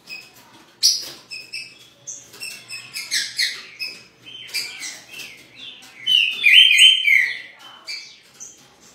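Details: Green-winged saltator, a new bird said to be weak, in Rio de Janeiro; a string of short high chirps and notes, then a louder, fuller whistled phrase near the six-second mark, with scattered fainter calls throughout.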